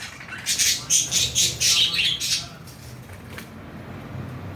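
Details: A pair of green budgerigars give a quick run of harsh, high chattering squawks, then fall quiet.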